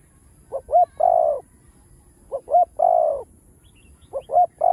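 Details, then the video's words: Low repeated cooing of a spotted dove, full song in chiêu, thúc and gù styles, used to get newly caught doves to coo fast; phrases of two short notes and a long warbling coo, repeating roughly every 1.8 seconds. "Tiếng cu gáy Đủ Bài ( Chiêu-Thúc-Gù ) kích bổi nhanh gáy"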